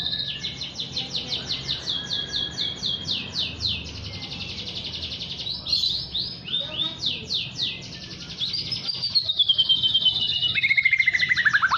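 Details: Juvenile white-rumped shama practising song with its beak open: long runs of rapid, high, scratchy repeated notes, a brief pause, then a loud descending whistle and quick downslurred chips at the end.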